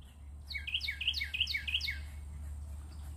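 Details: A Carolina wren in Ocean Springs, Mississippi, USA, sings a loud, rolling phrase of five quick, ringing repeats, about three per second, over a steady low background hum.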